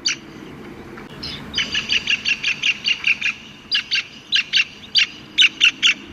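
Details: A Black-capped Kingfisher at the Mai Po Inner Deep Bay Ramsar wetland site in Hong Kong gives a fast series of harsh, high chattering notes, about two to three per second, in short bursts with brief pauses.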